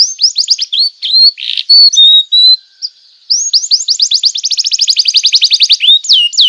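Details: Canary song used to train young canaries: fast sweeping notes and whistled slurs, a short pause, then a long rapid trill of repeated arched notes.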